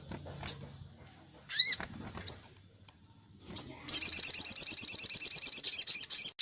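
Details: Sunbird song for training other songbirds, tembak cililin style: several separate sharp high chips and a slurred double note, then a rapid, high, repeated chattering trill.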